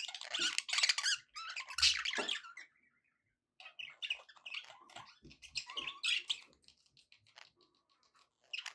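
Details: Happy pet budgies: loud scratchy chirps and squawks at first, a silent gap, then softer, sparser twittering and clicks with occasional short whistled notes.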